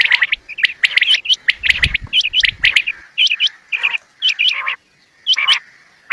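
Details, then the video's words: Quail (bater) recorded for bird hunting: rapid bright chirps and upswept notes in tight clusters, with brief low thumps early on, then a pause and a few final chirp groups. "new Quail bird Sound Fo Bater ki awaz"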